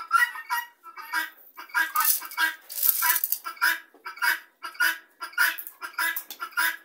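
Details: Flock of helmeted guineafowl gathered together, calling loudly: harsh, grating, harmonic notes repeated rapidly, about a hundred a minute, in a steady rhythmic chorus with overlapping voices and a brief burst of noise midway.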